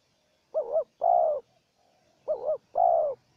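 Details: Decoy spotted dove and a wild rival trading calls: two phrases, each a quick doubled coo swelling into a sustained mellow coo, separated by about a second of quiet.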